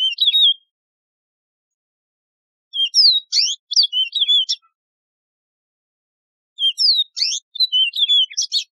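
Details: Three bursts of lively song from a Yellow-fronted canary, the wild canary called Mozambique serin, each mixing rising and falling whistles with quick buzzy trills and separated by pauses of roughly two seconds.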